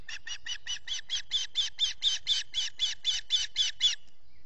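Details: Osprey feeding chicks at a nest, Salt Point, Finger Lakes region of the US, dawn on 14 June 2021, recorded by a solar-powered nest camera: a rapid, even string of about seventeen piercing whistled chirps, roughly four per second, then stopping.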